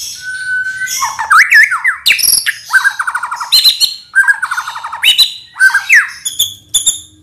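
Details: Indonesian white-rumped shama song for teaching other birds: a steady whistle opens into bright swooping phrases, buzzy trilled runs and piercing high notes repeated near the end, with faint low hum beneath.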